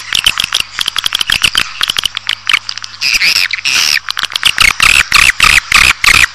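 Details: Lure recording of swiftlets for drawing a colony into a building: very fast click trains, about three per second, mixed with loud buzzy twittering bursts and a faint background hum.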